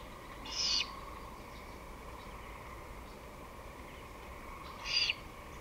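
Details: Great horned owl recorded on 23 May 2018 at 5:53 pm, giving two short, harsh, hissing screeches about four seconds apart over a steady background hum.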